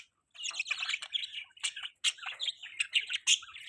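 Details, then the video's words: Budgerigar mating sounds: continuous rapid chattering warble of sharp, scratchy chirps and clicks, steady and lively throughout with only brief gaps. "Budgie Mating Call"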